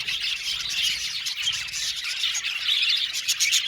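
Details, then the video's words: Budgerigars chirping and chattering: a dense, continuous wash of high, scratchy warbles and tweets from many birds at once, with no pauses. "Budgies Chirping sound"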